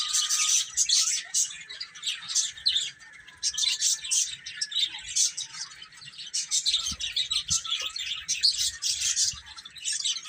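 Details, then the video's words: Young chicks eating and playing, producing near-constant rapid high peeping from many birds, with a few soft low knocks in the background. "Baby Chicken Chirping Sounds"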